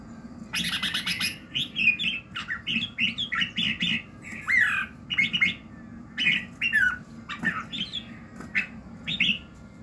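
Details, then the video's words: Red-whiskered bulbul singing in the morning, a voice-training recording meant to fire a bird up. It gives a rapid run of bubbly, warbled whistled phrases, several per second, some slurred and rising, over a steady low hum. "luyện giọng Chào mào buổi sáng kích lửa hiệu quả"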